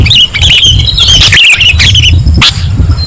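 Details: Sooty-headed bulbul recording used to lure birds: loud, fast chattering run of warbled notes, then a sharp burst, with low rumbling background noise throughout.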